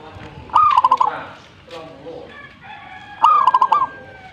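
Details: Energetic zebra dove singing two phrases nearly three seconds apart, each a long upslurred coo then four or five quick staccato notes, over low background noise and faint other calls.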